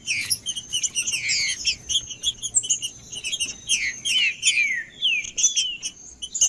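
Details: Green-winged saltator kept in captivity, singing dense chirping phrases that break into a sequence of clear downward-slurred whistles, over a continuous faint high whine.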